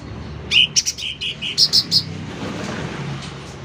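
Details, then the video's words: Short phrase from a loudly singing sooty-headed bulbul: about eight clipped, rounded notes, lower ones first and then a few higher ones, followed by quiet background. "Suara Cucak Ranting Gacor Volume Keras"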